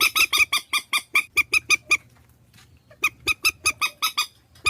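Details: Purple swamphen decoy call compiled in Vietnam: a fast, evenly spaced run of loud, strident honking notes, a silent pause of about a second, then the series resumes with faint low background hum.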